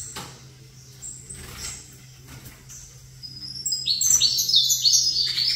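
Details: Saffron finch singing opposite a second saffron finch: a few faint, high notes at first, then a loud, rapid cluster of sharp, sweet chirps in the final seconds over a low electrical hum.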